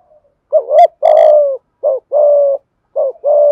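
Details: Spotted dove giving rapid prompting coos to excite a wild dove: three quick phrases of a short rising-falling note then a sustained low coo, closely spaced.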